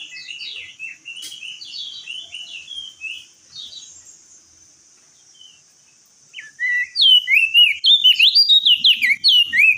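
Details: Singing crested white-eye, vigorous and clear-voiced: a soft, jerky twittering phrase, a short pause, then a loud rapid string of rising and dropping whistled notes at roughly three per second.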